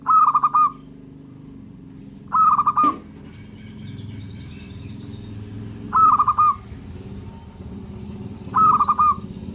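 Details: A local zebra dove repeats short, rippling coo phrases roughly every two to three seconds, four in all. A steady low background hum runs throughout, with a brief knock and faint high chirping after the second phrase.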